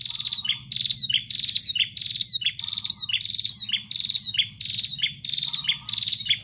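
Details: ['Bar-winged prinia singing vigorously without pause: rapid series of sharp, high chipping notes with downward-slurred ends, repeated about every half second, with brief low buzzy phrases between, over a steady low hum.']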